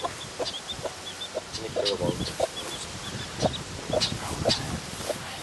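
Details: Laying hen with her newborn chick: soft, low, repeated clucks from the hen, mixed with thin, high peeps from the chick, over a constant background hiss.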